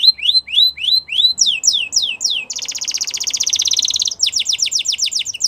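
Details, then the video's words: Song of a canary, meant to stimulate canaries to sing: a series of repeated rising whistled sweeps speeding up, then a fast buzzy rolling trill, ending with rapid repeated rising notes. "Does Your Canary Not Sound ? Use This, He Will Sing A Lot"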